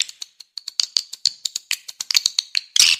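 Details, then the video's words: Swiftlet lure sound meant to draw in swiftlets: a soft, steady series of short, high, clicking chirps about six per second, growing louder and ending in a buzzy burst. "Suara Walet Paling MAHAL, Suara Panggil"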